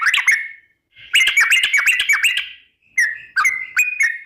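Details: Sooty-headed bulbul singing a 'ropel' lure song to prompt other birds to sing; clear whistled phrases of quick up-and-down notes, then a string of separate sharp chirps.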